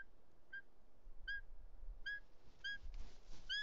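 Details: Bonelli's eagle at a nest in Els Ports Natural Park, Catalonia, late afternoon of 2 July 2023, as the male brings a snake for the chick and a female arrives. Clear whistled, downward-arching calls repeat about every 0.6 to 0.8 seconds over a low rumble.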